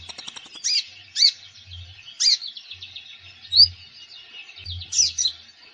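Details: Konin (common iora) song meant to stimulate quiet birds: a quick chip series opening, then loud slurred whistled notes roughly once a second, separated by soft twittering, over a faint low hum.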